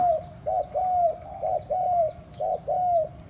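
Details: Spotted dove calling to rouse and lure other doves: clear, close coos in a quick sequence, a short note then a longer drawn-out one that slides down, repeated several times. Faint thin chirps in the background.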